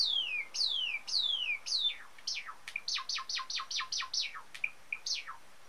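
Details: Java sparrow of the sakura variety, about four months after being brought home, singing during a courtship dance: a few clear downward-sliding whistles, then a rapid run of about ten sharp descending chips and bell-like notes, high and bright.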